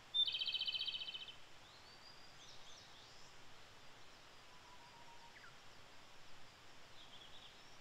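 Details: Wild Japanese robin in Japan, early May: a single rapid, high, rattling trill lasting about a second opens the recording, followed by quieter scattered whistles and chirps from other birds against a faint hiss.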